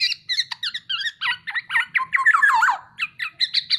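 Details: Tame black-naped oriole uttering rapid, squeaky, nasal notes in a busy chattering series, with a brief run of sliding, scratchy sounds midway.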